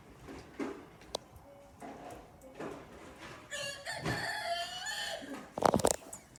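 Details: A rooster gives a single long, rich crow of about two seconds, followed by a sharp knock or clatter amid faint background noise.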